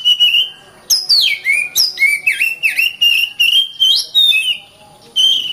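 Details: Oriental magpie-robin song for training other songbirds: a steady whistle, then a rapid string of swooping, rising and falling whistles and clicks, ending in another held whistle.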